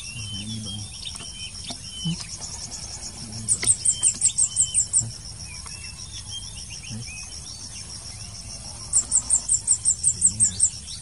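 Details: Blue-crowned hanging parrot heard at a trapping site: two bursts of about nine to ten very high, sharp notes in rapid regular succession, separated by several seconds, with faint scattered chirps from other birds and a steady high hiss.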